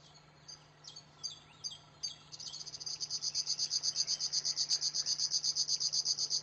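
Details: River warbler (Locustella fluviatilis), song.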